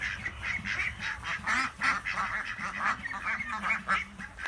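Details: A flock of 26 ducks out together on a farm in Chile, quacking and laughing: a dense chorus of overlapping nasal quacks, several per second, with no pause.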